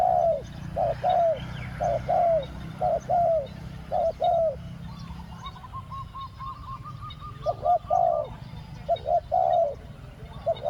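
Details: Spotted dove cooing while luring wild doves, two-word 'ku-ang' style: a rapid run of paired mellow coos with falling endings, a quieter series of higher evenly spaced notes in the middle, then the coos resume.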